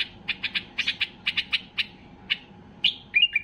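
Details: Excited Basra bulbul song meant to rouse other bulbuls: a rapid series of bright chirps, then a short fluty warbled phrase at the close.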